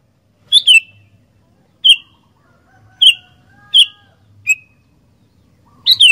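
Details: Sooty-headed bulbul singing actively: six short, bright, slurred whistled phrases, about one every second, the fifth thinner and weaker. A faint low hum sits underneath.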